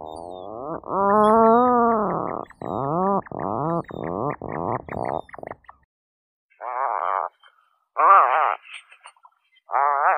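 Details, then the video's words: Atlantic puffin giving deep, rasping groans: a long drawn moan, then a run of short pulsed grunts, with a pause before harsher, higher growling bursts. "Atlantic puffin sound, puffin call"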